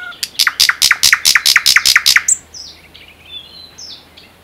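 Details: ['Common nightingale, Unzha river floodplain and Kologrivsky Forest reserve, Russia: about a dozen loud rapid clicking notes in a steady series, then fading thin high whistles.']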